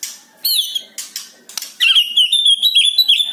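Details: Song of a white-rumped shama for prompting a captive bird to sing: a few high buzzy notes, then a rapid, sustained high warbling trill.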